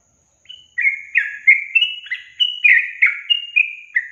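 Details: Lure recording of yellow-vented bulbul for quiet caged young birds: after a moment of silence, a lively burst of clear, chattering whistles, varying up and down in pitch.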